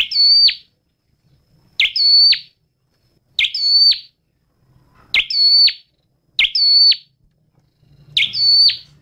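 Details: Red-headed flowerpecker song: six near-identical bright phrases, spaced about one and a half seconds apart. Each phrase is a swept attack, a sustained shrill whistle and a dropping end. The background is almost silent.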